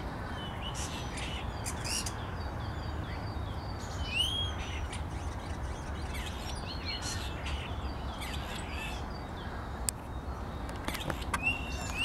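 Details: Common starling imitating the voice of a grey partridge, recorded 10 April 2021: scattered short rising whistles and raspy notes among other faint bird calls, over a steady low wind rumble throughout.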